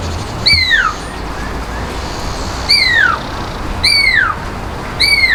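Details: A captive Pearl-spotted Owlet at Montecasino Bird Gardens, Johannesburg, on a hot day, calls with loud, clear whistles that slide steeply downward, four over about five seconds, against a low background rumble.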